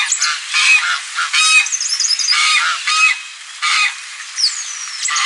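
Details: Harsh goose honks in loud, uneven bursts with brief gaps, plus a high descending whistle and light chirping of small birds.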